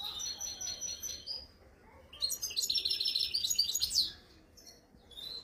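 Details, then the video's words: Wild-caught European goldfinch kept in Algeria: soft high twitters, then a loud two-second burst of rapid, jingling, buzzy trills, then quieter scattered notes. "تغريد الحسون خلوي"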